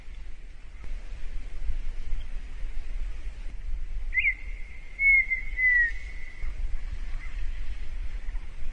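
A Red-winged tinamou gives one clear, drawn-out whistle of about two seconds that slips lower at the end, over a steady low rumble of wind.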